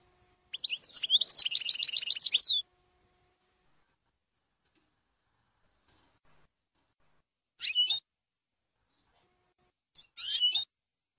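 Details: European goldfinch singing the Jordanian style on a training tape described as faultless. A two-second run of rapid, ringing trilled notes opens the clip. Two brief twittered notes follow after long silences. The recording is quiet and clear.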